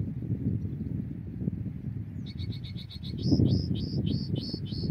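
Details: European goldfinch recorded during goldfinch trapping: from midway, a rapid run of high, sharp whistled notes, each with a downward hook, repeated several times a second over a loud, constant low rumble.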